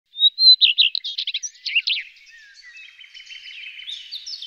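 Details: Common redstart song: a clear whistled opening note followed by a quick run of varied chirpy, rattling phrases, then softer twittering notes trailing off.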